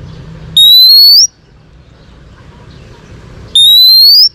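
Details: Female Oriental magpie-robin singing to stimulate males, for training purposes: two drawn-out, clear whistles sliding upward in pitch, separated by about three seconds of near silence.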